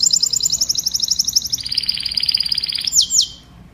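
A canary sings a fast, bright run of high trilled notes that drops to a slightly lower rolling trill, ending in two quick sweeping whistles.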